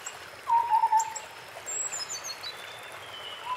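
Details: White-browed scimitar babbler in forest: one clear low fluting note that wavers and falls slightly, followed by a high descending whistle from another bird and quieter chirps.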